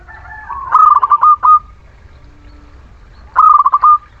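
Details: Zebra dove of the local Muria type, sung as a lure to get idle birds singing. Two phrases of quick, rolling, staccato coos, each ending in a held note, separated by nearly two seconds of quiet.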